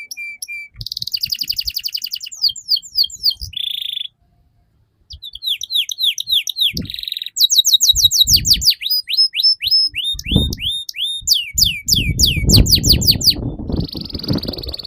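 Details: Canary singing continuously to lure and train young canaries: rapid repeated trills, series of downward-slurred chirps, brief nasal rolls, a short pause, then more sweeping chirps, with some rustling noise late on.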